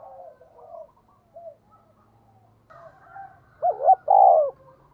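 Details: Spotted dove lure bird in 'giọng thổ' style, 'thúc' call, provoking wild doves: faint soft murmurs and a brief hoot, then two loud hollow coos near the end over a light low rumble.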